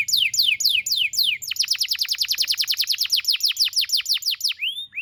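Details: Canary song as tutor material for young canaries: a few descending sweeps followed by a long, even tour of rapid falling whistled notes, about six per second, ending on a rising whistle.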